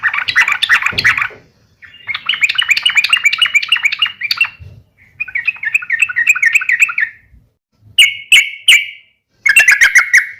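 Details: Yellow-vented bulbul in a provoking fighting call aimed at other bulbuls: repeated bursts of quick, bubbly chattering phrases, then three loud sharp whistled chips and a final harsh chatter.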